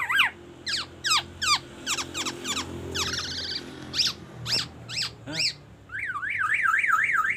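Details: A black-naped oriole sings mimicry that imitates a white-rumped shama and an ambulance siren: a loud, repeated run of steep falling whistles about every half second, then a fast wavering siren-like warble.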